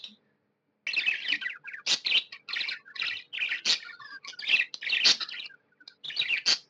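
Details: Happy budgerigar kept as a pet, warbling a continuous mix of grating buzzes, clicks and thin squeaks in uneven phrases after a short quiet start.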